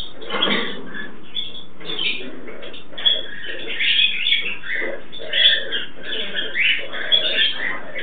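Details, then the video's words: Captive pair of pet Turquoise-fronted amazon parrots during mating: dense, scratchy squawking and chattering, with irregular harsh bursts and a few sharper, louder notes standing out over a continuous rasping background. "Amazona aestiva cruzando / parrot aestiva mating"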